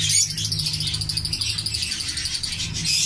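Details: Zebra finch chicks growing in a captive breeding colony, begging: fast, buzzy, high-pitched pulses repeated steadily through the whole stretch, with a faint low hum underneath.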